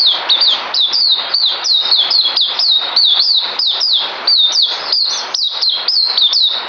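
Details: Captive songbird filmed on 9 December 2018 ahead of a deworming dose, delivering a fast, unbroken chain of high, sliding whistles that swoop downward, each note following closely on the last.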